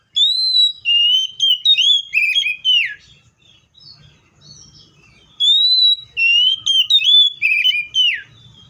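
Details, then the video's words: Seychelles magpie-robin with two matching phrases of loud, pure whistles, each opening on a long steady note then tumbling through descending slurs, about five seconds apart. "COPSYCHUS SECHELLARUM BIRDS SOUNDS LIKE IN NATURE LOUD CLEAR SOUNDS"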